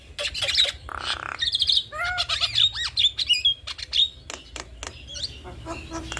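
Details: Black-winged starling, male and female duetting: harsh squawks, buzzy bursts and slurred whistles around mid-high pitch, with clicking notes and rapid varied phrases over a low background hum.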